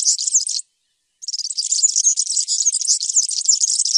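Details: European serin singing a high, fast, jingling song of dense twittering notes, a short burst, a brief pause, then a long unbroken stream of tinkling chatter.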